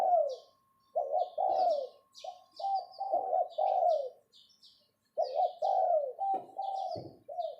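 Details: Spotted dove serving as a captive decoy, uttering the 'phao' call: soft hollow coos in broken phrases with a silent gap midway, plus scattered high twitters from other birds and a few light knocks.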